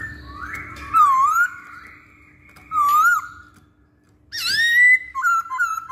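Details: Masked laughingthrush song used as a lure to get other birds singing: loud clear whistled phrases, some dipping then rising, others sliding upward, separated by short pauses, with faint room hum underneath.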